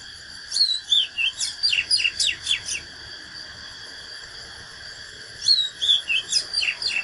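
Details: Fighting song of an Oriental magpie-robin: two energetic phrases of whistled slides and fast repeated descending notes, about four per second, separated by a pause, with steady high humming in the background.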